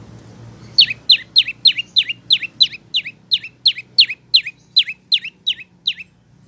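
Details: Prinia song for training cage birds: after a quiet start, a rapid chain of about eighteen sharp, bright, downslurred chirps repeated at an even brisk pace.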